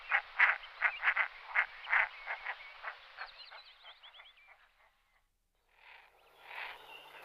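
Common merganser giving a rapid series of harsh, croaking notes, about three a second, that fade away; thin twittering whistles and a brief rustle follow.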